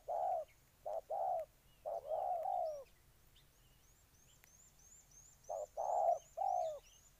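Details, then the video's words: Spotted dove from Ninh Thuận, Vietnam, cooing in two bursts of short and long hollow notes with a silent stretch between. Another bird gives a steady string of high chirps. "Cu gáy Ninh Thuận"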